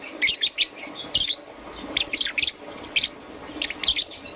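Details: Young green-and-yellow peach-faced lovebird chirping in the morning: bright, high, squeaky notes in quick clusters, several rapid chirps then short pauses.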